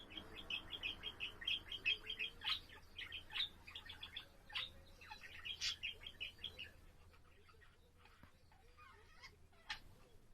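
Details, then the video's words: Caged pet budgerigar singing indoors: quick, busy chatter of buzzy chirps and scratchy clicks, dense at first, then thinning into scattered notes near the end. "セキセイインコ そらちゃんのさえずり"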